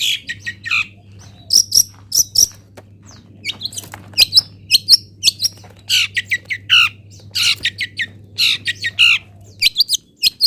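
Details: Local long-tailed shrike from Pati singing a mandatory 'isian' fill phrase used as tutor song: rapid sharp chirps and harsh squawky notes in quick bursts, with a steady low hum beneath.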